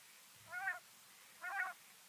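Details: Female common quail calling, a recording offered for luring quail when hunting: two short, nasal, harmonic notes about a second apart, over quiet background hiss.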